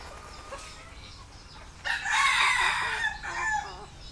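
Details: Red junglefowl kept in Thailand, hens dust-bathing in the dirt; a loud, harsh, harmonic crow rises at about two seconds and holds for over a second, then a shorter, fainter note follows, over low background noise.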